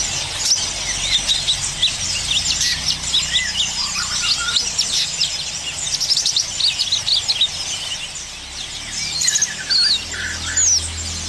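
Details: Yellow-vented bulbul (cucak kinoi) singing in the rapid, energetic trotol style: dense, fast, high chattering of short chirps and trills, almost without pause, with brief clearer whistled notes near the end over a faint low hum.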